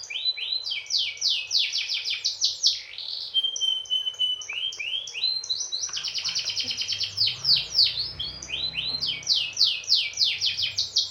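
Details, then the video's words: Canary song meant to get other canaries singing: long unbroken rolling trills of rapid downward-swept chirps, alternating with brief flat whistled notes and buzzy runs, about three notes per second throughout. "mancing kenari biar bunyi"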